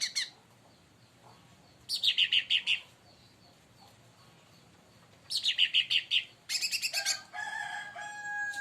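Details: Provoked leafbird (cucak ranting) in energetic song: repeated bursts of five or six rapid, high, downward-slurred chirps every few seconds, ending in bright twittering and sustained whistles.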